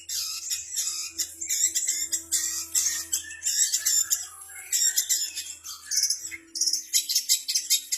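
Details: Imitative song of a long-tailed shrike copying kapas tembak, canary, fighting sparrow and bar-winged prinia; dense, harsh, squawky high chatter with rasping bursts and little pause, a low steady hum beneath.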